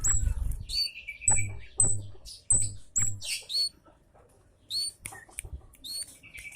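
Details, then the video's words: Loud "citt" lure calls of the scarlet-headed flowerpecker, meant to attract birds: sharp, very high, thin downslurred chips in uneven bursts, mixed with lower thin trilled notes and soft low thuds. "Citt keras || pancingan burung kemade cabe jawa (cigen)"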